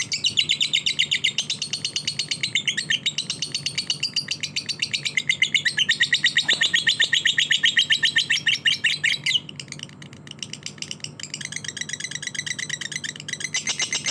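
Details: Fighter-style lovebird song: long unbroken runs of rapid, shrill, scratchy chirps, very fast and insistent, with a short dip in loudness near the ten-second mark before the busy chattering picks up again; low background hum throughout.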